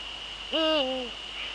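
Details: A male Eurasian eagle-owl hoots once in the Netherlands on the evening of 30 January 2013 at 18:00. The strong, rich hoot rises quickly and then slowly tails downward for over half a second, over a constant high hum.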